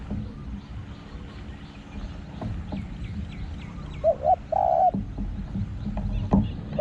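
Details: Spotted dove from Thai decoy calling, one phrase of two short coos and a longer coo midway, with chirps of other birds and low rumbling background.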